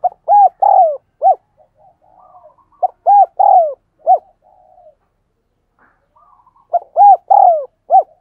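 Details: Spotted dove giving the rapid 'thúc gù' coo used to train decoy doves and lure wild ones: loud low hooting phrases of short rounded notes ending in a longer drawn coo, three bursts with soft murmuring between.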